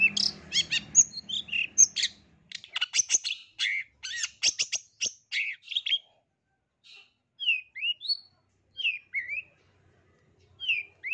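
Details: Long-tailed shrike tutor song for a reluctant, stressed caged bird: dense harsh chattering and squawks over low rumble at first, then widely spaced down-slurred whistles in pairs.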